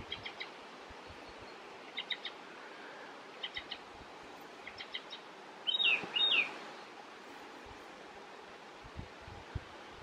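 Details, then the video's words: In Västerbotten on 27 June 2021 an icterine warbler gives faint, high chattering note clusters about every second and a half, then two loud, sharp slurred whistles close together, followed by quiet. "Härmsångare - icterine warbler - Hippolais icterina song"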